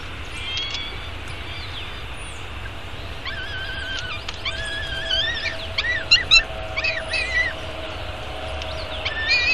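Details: Downtown peregrine falcon chick in Arizona begging while fed breakfast at 9:28 in the morning, 24 May 2016, nest camera: thin squeaky whistled calls with wavering pitch, clustered in the second half over steady low city rumble.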